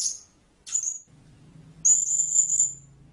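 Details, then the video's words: Blue-crowned hanging parrot giving very high, thin, shrill notes: two short squeaks, then a longer drawn-out buzzy screech, over a faint low hum. "เสียงนกหกเล็กปากดำ Blue-Crowned Hanging Parrot Sound"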